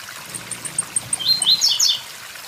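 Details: Blue-black grassquit, called tiziu, by a waterfall: a run of high ticking notes followed by one brief buzzy burst of quick descending and rising notes, over constant splashing water.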